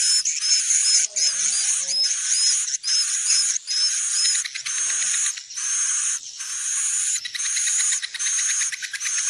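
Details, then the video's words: Swiftlet lure played to attract birds to roost in a building: a run of quick, high arched chirps over buzzy chatter at first, then steadier rasping bursts with rapid ticking pulses toward the end. "Suara panggil burung wallet menginap"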